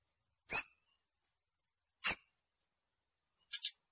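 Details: Scarlet-backed flowerpecker calling: three sharp, very high, thin notes spaced about 1.5 seconds apart. The first two are clean single ticks and the last is a quick double note. The background is quiet, with no other sounds.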